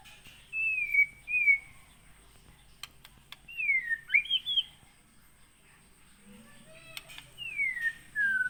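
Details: Captive white-rumped shama of Aceh Gunung Leuser stock, wild-caught in 2017 at Aih Ilang, Pining. It gives clear slurred whistles, some falling and some rising, spaced out over several seconds, with a faint low hum behind.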